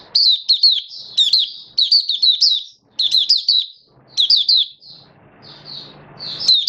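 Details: Oriental white-eye (mata puteh), a hobby songbird in build-up form, 19 September 2022: quick bursts of high twittered notes, then two softer drawn chirps over a low hum near the end.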